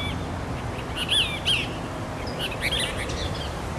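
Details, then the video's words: Cassin's kingbird, one of three, singing beside a dry grassy field and commercial area on San Diego Creek Trail, Irvine, California, 24 August 2015: a few harsh, burry notes, two close then a rougher burst, over low rumble. "Cassin's Kingbird Singing"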